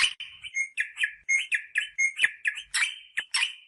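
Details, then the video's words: Rosella parrot vocalising to prompt mating: a quick sequence of brief whistled and slightly buzzy notes, some with sharp clicking onsets, delivered in an uneven, lively rhythm. "The sound of the rosella bird to stimulate mating"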